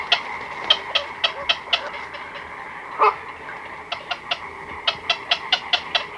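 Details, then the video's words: Chicks and adult black-crowned night herons in a colony at night, recorded close up: sparse sharp ticking calls at uneven intervals, with one louder, harsher squawk midway through. "Black-Crowned Night Heron. Calls CU From Chicks & Adults In Colony At Night"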